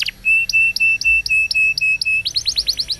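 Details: Tutor song for training young canaries: a long run of clear, evenly spaced whistled notes, each with a high sharp click, then quick descending chirps repeated several times a second.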